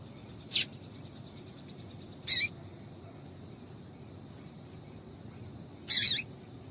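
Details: Female double-collared seedeater call, meant to get males singing. Three brief, high, hissy chips come at irregular gaps of roughly two to three seconds over a quiet background.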